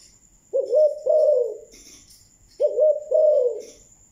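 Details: Two low, drawn-out double coos from a spotted dove of the Malaysian type in thúc gù style, about two seconds apart, with faint twittering and a thin high tone in the background.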